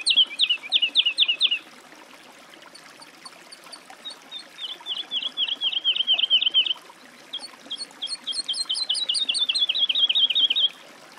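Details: Song of a woodlark: bursts of quick repeated descending whistles, broken by short pauses, each phrase a rolling trill of a dozen or more similar notes.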